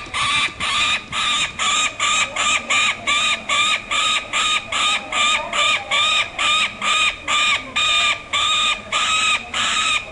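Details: A young Peregrine Falcon, a nestling being banded, gives loud, harsh, rasping calls, over two per second in a steady insistent series, with faint human voices behind.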